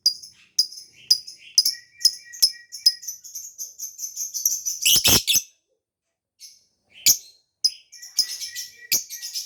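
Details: Lovebird chirping used as a lure for escaped birds and to trigger mating: steady series of sharp high chirps building into a loud shrill burst, a short silence, then renewed rapid chirps.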